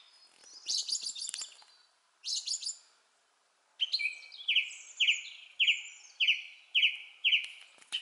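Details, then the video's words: A singing thrush: two bursts of rapid high chattering notes, then a series of clear whistled phrases repeated about every half second, each a short falling slur with bright upper trills. "zorzal cantando"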